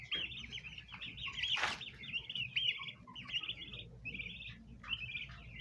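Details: A flock of domestic bronze turkey poults gathered by a basin of ornamental plants peeps almost without pause, high wavering chirps running together, broken once by a sharp burst of noise like a wing flap.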